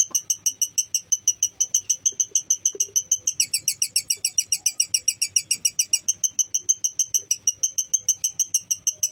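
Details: Lovebird training recording played to stir emotion and raise fighting spirit. Steady, shrill, metallic chirps come about three per second, and a second, faster overlapping chatter joins in the middle, then fades.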